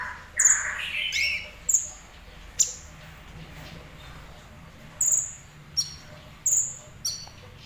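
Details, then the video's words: Very high, thin chirps from a kolibri ninja sunbird, scattered and fairly soft, with a short lower rough chatter near the start. "Burung Kolibri Ninja Semi Gacor"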